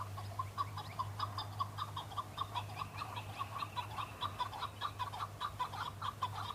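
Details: Male chukar partridge in fighting season, answering and challenging rival males, displaying to attract females; a rapid series of clucking chuk notes repeated steadily through the whole stretch, with a steady low hum underneath.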